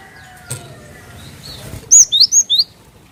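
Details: Cinereous tit recording used as a lure to prompt other birds to sing: a burst of four loud, high whistled notes, alternately rising and falling, after a second of quiet background noise and a faint click.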